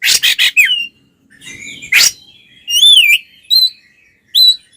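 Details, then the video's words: Kacer, the oriental magpie-robin, singing aggressively as a provocation to rival males: harsh rapid chatter at first, then a buzzy rasp and separate sweet whistled notes that rise and fall, spaced by short silences. "SUARA BURUNG kacer gacor NGEPLONG TARUNG konslet paling AMPUH buat PANCINGAN KACER agar EMOSI"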